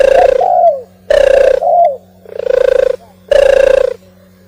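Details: Oriental turtle dove song: four rough, buzzing coo notes about a second apart, the first two each trailed by a soft, downward-sliding note, with a constant low hum throughout.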